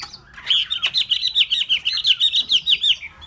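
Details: Hwamei delivering a fast, even run of repeated bright whistled notes, each bouncing up and down, about four to five per second, clear and loud over a quiet background.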